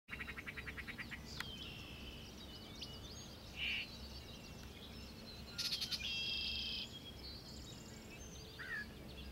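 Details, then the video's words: Yellow-breasted Chat at Chiwaukee Prairie, Kenosha County, Wisconsin, 23 June 2012 at 06:23, giving an odd mix of notes: a quick dry rattle, short harsh squawks and a clear whistled phrase, irregularly spaced, over low background hum. "Yellow-breasted Chat"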